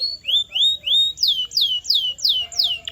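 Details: Canary song aimed at getting canaries to sing: three slow rising whistles, then loud steeply falling sweeping notes repeated about three times a second, strong and clear.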